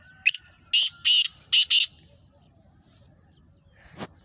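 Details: Black francolin, called kala teetar, described as a speeder-voiced sheedi cross of the nasal chakri wala type: a short sharp opening note, then four harsh, buzzy, grating bursts in quick succession, followed by silence and a faint click.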